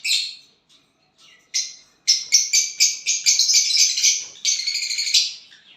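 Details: Violet bird singing after getting a partner: a few separate high chirps, then a rapid run of buzzy chirps about four per second that merges into continuous chatter and fades.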